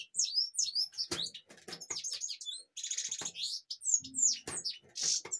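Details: European goldfinch from Kashmir singing a rapid, high twittering song of tinkling trills and short buzzy notes, broken by a few sharp clicks and knocks.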